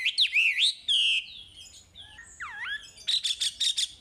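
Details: Chinese hwamei song used to train caged birds: bold swooping whistles, a buzzy held note, a deep U-shaped slur, then a rapid burst of repeated harsh notes.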